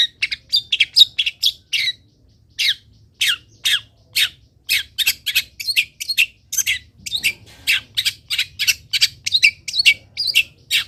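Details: Long-tailed shrike song used as a tutor recording for training other shrikes to sing: sharp, high, squeaky notes sweeping downward, delivered in rapid uneven runs of about two to three per second, separated by brief gaps.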